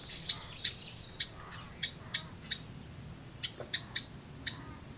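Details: Baby house wrens in a birdbox calling when parents arrive with food; about a dozen sharp, high ticking notes spaced irregularly against a faint low background rumble.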